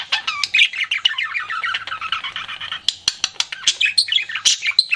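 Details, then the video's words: Courting pet budgie chattering: a continuous scratchy warble of mixed squeaks and trills, then a string of quick, sharp clicking chirps. "CUTE PET BUDGIE FLIRTING"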